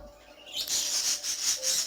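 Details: Pet parakeets, some females about to lay eggs for the first time and very loud lately, give loud, raspy, high-pitched chatter in rapid scratchy pulses, with a faint steady tone behind.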